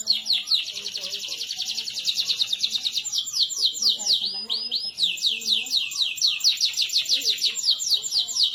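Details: Energetic canary singing nonstop, meant as a lure to get lazy canaries to answer: long unbroken high trills of quickly repeated notes, shifting between rolling rattles and swooping arched phrases, with faint low murmuring underneath.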